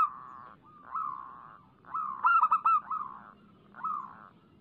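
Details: Local zebra dove song used as a lure to set doves singing: soft, pulsed cooing phrases, each a quick stutter of rolling notes followed by a drawn-out tone, repeated several times over a low background hum.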